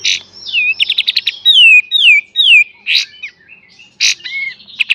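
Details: Kapas tembak singing in full beset and tembak style as a master for cage-bird training: a quick stutter, a run of descending whistled slurs, loud harsh bursts and a short rising whistle.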